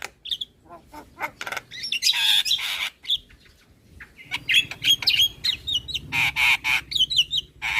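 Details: Asian pied starling song, played in the morning for young birds to copy: bursts of harsh chatter, clicks and squawks alternating with short whistled notes, broken by brief pauses.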